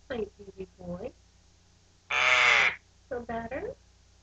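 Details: Pet male eclectus parrot, three months old, kept indoors: one loud, harsh, broadband screech lasting about half a second mid-clip, with a woman talking softly to the bird before and after.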